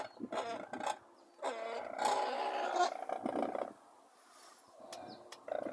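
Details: Brolgas near Longreach, Queensland, Australia, give a loud, rolling bout of harsh trumpeting lasting about two seconds, preceded and followed by shorter rasping calls and quieter pauses.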